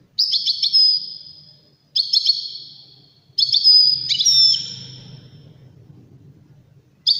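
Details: European goldfinch song used for tutoring goldfinch chicks and hybrids: short bright twittering phrases every one to two seconds, each a cluster of high liquid notes trailing off, with a faint low hum beneath.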